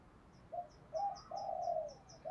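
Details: Spotted dove coos used to stir birds for training, from a male and female calling: soft coo notes, then a longer drawn-out coo, with rapid high insect-like ticking throughout.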